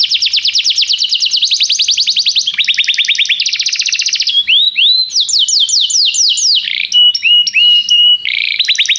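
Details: Tutor canary song for training a young canary: long fast trills of high repeated notes changing speed and pitch, then rising swept whistles and steady tones, loud and nearly continuous.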